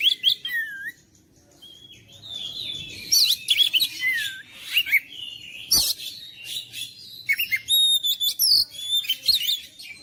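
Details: Oriental magpie-robin (kacer) song meant to goad silent, lazy kacer into persistent singing: rich whistled phrases with sliding notes, rapid chattering bursts and sharp clicks, loud and varied, pausing briefly near the one-second mark.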